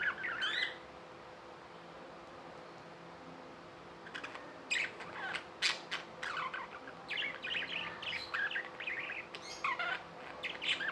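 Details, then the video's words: Budgerigars kept as pets: one squeaky call, about three seconds of near quiet, then a long stretch of busy chattering chirps and warbles, low hum behind. "Budgies | Talking | Singing | Chirping sounds"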